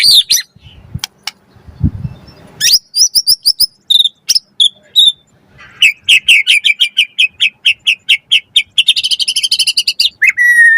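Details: Loud, lively white-rumped shama song, used as a lure for other shamas and as tutoring material: a rapid series of crisp high notes repeated in a steady run, speeding into a dense trill before ending on a lower whistle.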